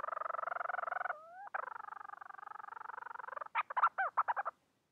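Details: Bermuda petrel seeking a mate: steady pulsed moaning notes broken by a brief rising glide, then a second long pulsed moan, ending in a quick run of about eight loud, clipped, bouncing notes.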